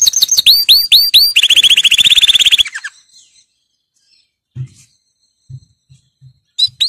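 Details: Canary song for training, opening with repeated high upswept chirps that run into a fast rattling trill, then fading to near silence with a few low knocks and a last chirp.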